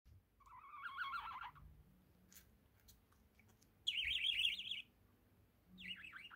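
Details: Pet budgerigar, a one-year-old male, giving warbling chirps: a wavering chirp series around one second long, a pause, then a brighter, higher warbled burst and a short descending chirp at the end; faint background hum.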